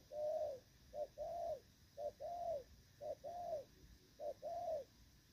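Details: Spotted dove in moult, cooing in the Thổ Pha style, recorded 3 June 2024: low, mellow two-part phrases, each a short note followed by a longer drawn-out coo, repeated about once a second against a faint background hiss.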